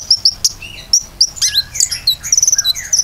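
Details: Common iora song, a lure recording meant to set other birds singing: sharp high chirps and short whistled notes, then a quick stuttering trill near the end, with fainter lower slurred whistles between them.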